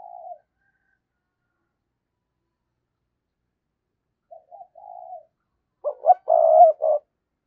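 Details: Decoy spotted dove calling to lure wild doves. A single soft coo, a long silence, then quiet stuttered hoots and a loud, rough, pulsing coo burst near the end.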